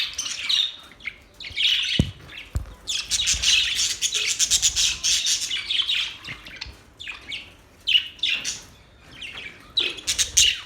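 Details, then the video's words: Budgies chirping and singing, described as mating calls: a long stretch of scratchy, buzzy warbling with many fast chirps, broken by short quiet gaps and a couple of sharp clicks. "Budgies birds singing"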